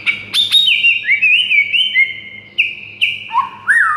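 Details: White-rumped shama song used to stir a silent shama into singing; loud clear whistles, some sliding and wavering, drawn out in long sustained notes at varying pitch, with a few sharp clicks at the start.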